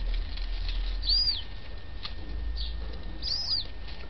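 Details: Recovered yellow-legged gull chicks, a few days after being brought indoors; two clear high peeps, each a thin whistle that rises then falls, about two seconds apart, with soft clicks and a low hum between.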